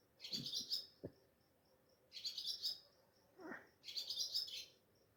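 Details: Swallow (Ababil) chirping before dawn at Sehri at a home on a moonlit night, mobile phone recording; three high, scratchy trilled bursts about every two seconds, with soft low knocks and a brief lower sound between.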